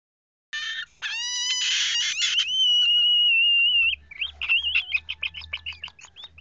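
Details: Lesser yellow-crested cockatoo chick hand-fed with a simple syringe gives harsh, buzzy rasps, then a long steady whine, then quick rhythmic chirping pulses while feeding, with faint low handling noise.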